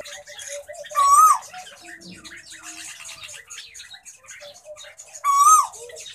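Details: Bonded breeding pair of plum-headed parakeets kept for breeding: two loud, clear whistled calls, each rising then dropping, about four seconds apart, over steady twittering chatter of other small birds and a low hum.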